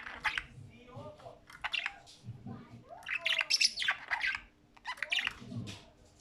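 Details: Budgerigars playing, chattering in rapid, scratchy bursts of high chirps, squeaks and warbles.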